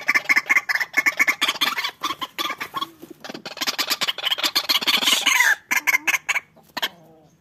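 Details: Duelling White-breasted waterhens produce bursts of harsh, rapid repeated notes that run together into a loud churring stretch, then break off into a few scattered calls and quiet.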